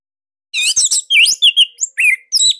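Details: Orange-headed thrush song, unique, dense and loud, offered as material for teaching cage birds; a rapid chatter of high buzzy notes, then clear dipping whistles repeated in close succession.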